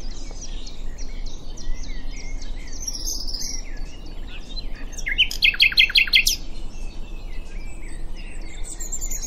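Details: Common nightingale singing at Diddington: varied whistles and short phrases, with a burst of loud rapid repeated notes in the middle, over steady low background rumble.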